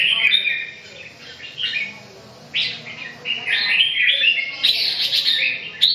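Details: Red-whiskered bulbul singing: bright, rapid chirping and warbled phrases, short notes tumbling up and down, louder and denser in the second half, with a faint low background hum.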